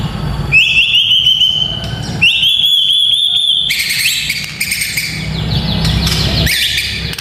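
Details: White-rumped shama song aimed at toughening young fighter birds: two sustained trilled whistles, each about a second long, then a burst of harsh chattering, crackling notes over a low rumble.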